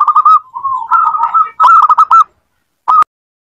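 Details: Zebra dove song meant to get a silent pet dove singing: chains of fast, rolling staccato coos running into a lower warbling phrase, another quick burst, then one short note after a gap.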